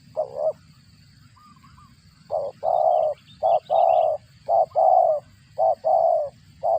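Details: Spotted dove calling while feeding its young, voice said to resemble a cricket; loud, close, grainy coos in a steady series of short and long notes, with faint twittering from other birds.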